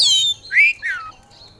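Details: Brief burst from an oriental magpie-robin (kacer) in gacor song: a high descending whistle, then two clear slurred notes, one rising and one falling, ending in a faint thin whistle.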